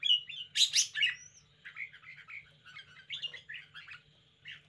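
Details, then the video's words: Caged red-whiskered bulbul showing lively, spirited behaviour: bright whistled and warbled phrases around the upper-middle range. A loud burst opens the recording, followed by a run of quick chattering notes and a steady low hum underneath. "นกกรงหัวจุก 90 chao mao. bulbul birds. red-whiskered."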